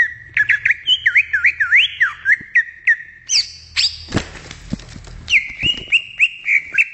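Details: Wild greater green leafbird: quick rolling whistled V-shaped notes, a harsh noisy burst midway, then a steady series of bright flicked whistles.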